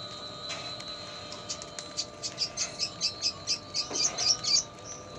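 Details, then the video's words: Red siskin singing eagerly in a songbird tutor recording that includes lovebird sounds: a faint start, then an even string of high, bright chirps about four per second, then a closing trill. "MASTERAN RED SISKIN PASTOL RAJIN BUNYI,ISIAN SUARA LOVEBIRD."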